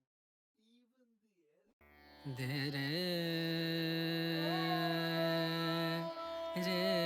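Indian classical singing over a sustained drone, one held vocal note sliding upward partway through, with a quiet stretch before the music begins; no animal voice is heard.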